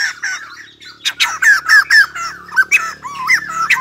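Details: White-crested laughingthrush singing and dancing like a ballet dancer, giving loud, bouncy, squawking notes with downward-curving whistled inflections, spaced irregularly after a quieter opening.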